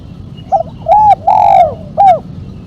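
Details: Mercik-type spotted dove call with a single sharp kuk, intended for luring and training: a brief opening coo, then a long arched coo, a longer drawn-out falling coo and a clipped final coo.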